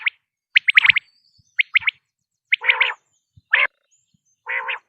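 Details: Common quail calling: clipped triple-note phrases alternate with lower, rough, nasal growling notes, each phrase separated by short pauses in quiet surroundings.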